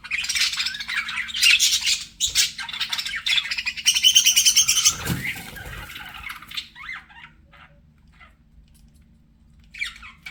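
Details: Pet budgerigars flirting: dense rapid chatter and warbling with wing flutter in the first six seconds, then fading to near quiet with a few short squeaky chirps at the end.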